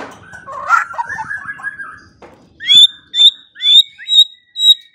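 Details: White-rumped shama in a morning and evening training recording meant to prompt silent birds to sing: a soft scratchy warble, then a series of six loud, clear, high whistled notes spaced about half a second apart.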